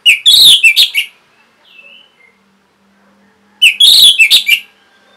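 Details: Lively caged orange-headed thrush, its song used to stimulate birds that have stopped singing: two loud bursts of rich whistled and chattering phrases separated by a pause with a faint soft whistle.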